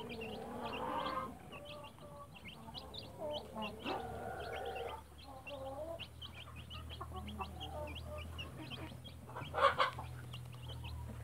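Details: Mother hen with chicks in a backyard flock: low hen clucks and warbling notes over a steady background hum, with many thin high chick peeps scattered throughout and a brief louder burst near the end.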